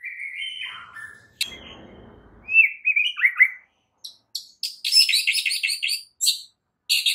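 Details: White-rumped shama morning training song for other shamas: slurred whistles and a quick warbled phrase, followed by harsh, buzzy high chattering notes in short bursts.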